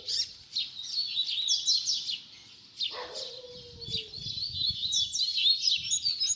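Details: Double-collared seedeater in baderna song, a teaching song for young birds: busy high twittering trills with a short pause, a lower sliding tone midway and rustling background.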